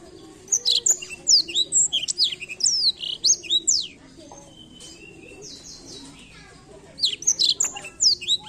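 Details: Blackthroat song, played to stimulate other birds to sing: rapid bursts of high, sweeping whistled and chirped notes, many rising and falling steeply, delivered in a dense run, then a pause and another burst near the end.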